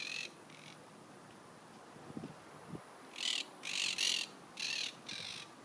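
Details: A flock of about 60–70 monk parakeets perched high on telephone wires takes flight on a stormy Sunday morning in League City, Texas, with loud, harsh, screechy calls in short repeated volleys.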